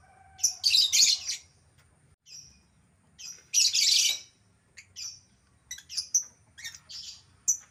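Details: Albino lovebird: loud grating squawky bursts near one and four seconds, followed by a run of short sharp chirps and tweets.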